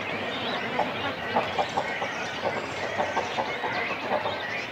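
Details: Breeding colony of cormorants, chicks and adults on nests, heard close: steady rough chatter filling the background, broken by short croaking pulses repeated roughly every quarter to half second.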